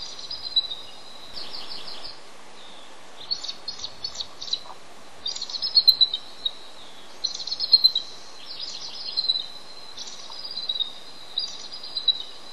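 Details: Calling for his absent mate while sitting on eggs, a male bald eagle gives repeated bursts of shrill, piping chitters and squeals, pausing between runs, with a steady wind-like hiss underneath.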